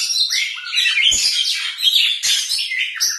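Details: Caged white-rumped shama singing a dense, rich song of rapid whistled phrases and chattering trills, high-pitched and continuous with brief pauses, a few faint clicks underneath.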